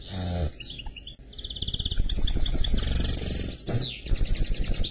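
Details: Song of a mule, a canary crossed with a goldfinch: a sweeping downslurred note, then fast chattering trills and rattling runs, ending in a quick rising-falling whistle and bright repeated notes, with low background hum.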